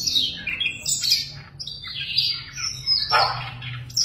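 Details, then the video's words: A cage-tamed Siberian rubythroat sings a rich, varied warble of high whistles and scratchy notes, phrases tumbling together with little pause, over a low hum. "Oanh cổ đỏ thuần lồng cực hay"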